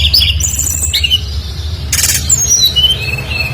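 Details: Brown-chested jungle flycatcher singing actively as a lure for other birds: high slurred whistles and warbles, a short burst of noise midway, then more descending whistled notes, over a steady low hum.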